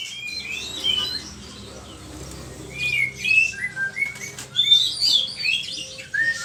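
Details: Kacer (oriental magpie-robin) singing vigorously as lure and tutor song: softer, more distant string of sliding whistles and twitters over steady background noise.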